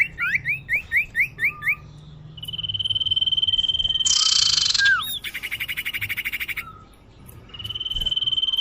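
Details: Common iora lure recording for attracting birds: a row of quick rising chirps, a long even whistle, a harsh buzzy burst, a rapid trill and another sustained whistle.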